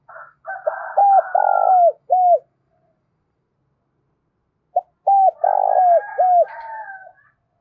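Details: Spotted dove coo used to stir doves to call: the four-part phrase is given twice, overlapped by higher, rough, drawn-out calls from another bird.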